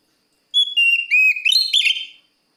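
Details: Oriental magpie-robin (kacer) singing to challenge a rival, a bright whistle stepping downward through sustained notes, then a burst of rich twisting warbles that fades out.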